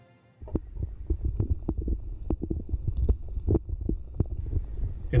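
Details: Irregular low thumps and clicks, like handling or footsteps, after a brief silent start; no animal call is present.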